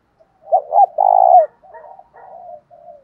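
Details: Spotted dove cooing in a fight-provoking and calling style used to stir up trained birds: two short, hollow coos, then one long, buzzy, purring coo that slurs down at the end, followed by softer, lower, broken coos.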